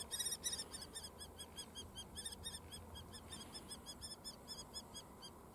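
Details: Two female common kestrels fighting, probably over food or territory, at the Noordduinen near Den Helder, Netherlands, give a rapid, shrill series of sharp kee-kee-kee notes, about four a second, over a low rumble of wind.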